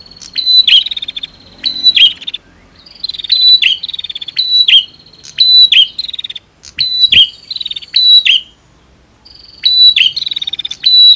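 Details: Female and male prenjak in a singing duel meant to provoke song: rapid repeated bursts of high, piercing trills with a steady whistled tone, phrases tumbling one after another with brief pauses, and a single sharp click midway.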